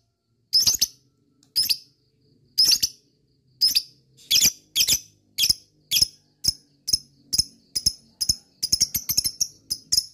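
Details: Lovebird working up to ngekek panjang, the long trill meant to excite other lovebirds: scratchy, high chips spaced about a second apart, gradually tightening into a faster, denser chatter toward the end.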